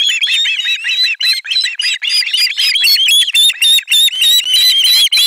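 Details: Chorus of osprey chicks at a Finnish nest, 18 July 2022, shrieking as a fish arrives; dense, continuous high whistled screams in quick overlapping bursts.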